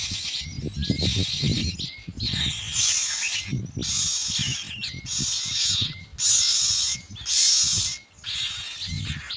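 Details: Myna chicks begging for food while a parent arrives with white pellets: loud buzzy rasps in repeated blocks, some sharper and louder near the end, over scratchy low handling and rustling noise.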